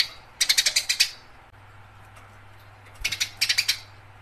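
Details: House sparrow in a fight, two bursts of quick, harsh, scratchy chirps, the first about seven notes fast, then a pause and a second similar rattling run.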